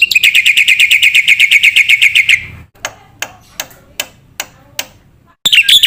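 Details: Black-winged myna chattering, a training song for stirring young cage mynas: a quick even string of bright clipped notes for two seconds, then sparse sharp clicks, then another burst.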